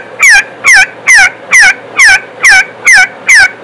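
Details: Loud, regular partridge call: eight strident, falling notes delivered at an even pace across three and a half seconds, each a brief harsh bark.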